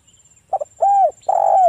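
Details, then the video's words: Part of a spotted dove's song, played to lure other doves into answering: a clipped double note, an arched coo, then a long sustained coo that slowly falls in pitch. "TEKUKUR GACOR suara merdu - PANCINGAN TEKUKUR AGAR BUNYI"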